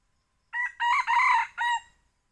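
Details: Young red junglefowl lure call used for hunting at Selang 2, Bukittinggi: a single loud, hoarse crow of four linked syllables, the longest in the middle, over about one and a half seconds with a quiet background.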